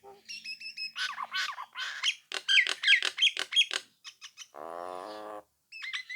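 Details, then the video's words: Nias hill myna singing energetically to draw rival birds into answering, with high whistled notes, rapid harsh chattering phrases, a low nasal buzz and a closing pair of whistles. "suara jalak nias gacor mancing lawan agar nyaut dan ikut ngoceh"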